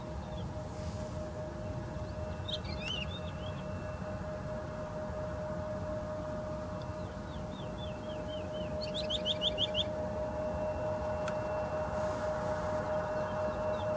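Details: Woodlark with sparse whistled notes early, then a fast run of repeated descending notes near the end, with long quiet gaps, a steady hum and low rumble throughout.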